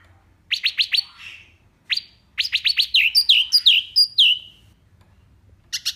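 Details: Hwamei singing a rich, varied song meant for tutoring other songbirds: rapid sharp clicking notes, then a run of descending slurred whistles, ending with a short burst of high, dense notes.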